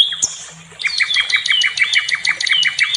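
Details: Nightingale known as sikatan londo, singing for the training of other songbirds: a short rising whistle and pause, then a rapid chattering run of repeated two-pitched notes.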